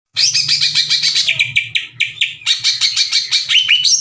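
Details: Caged greater green leafbird in full song, aggressive and challenging another leafbird to fight: loud, rapid run of sharp downslurred whistled notes, harsh and scratchy, about seven per second, with a low hum underneath.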